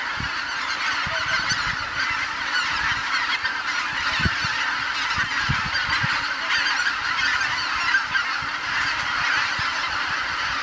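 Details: At dusk, geese fill Kabukuri-numa marsh in Japan with calls. Many overlapping honks merge into an unbroken, fairly bright chorus, with faint low taps scattered throughout.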